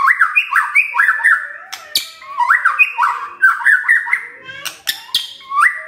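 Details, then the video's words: Morning white-rumped shama song, used to draw a quiet shama into singing: fast, looping whistled phrases rising and dipping repeatedly, interrupted by brief sharp clicks and a harsh note near the end. "Pancingan PAGI-PAGI AGAR MURAI GACOR❗ murai diam pasti ikut NYAUT EMOSI❗❗"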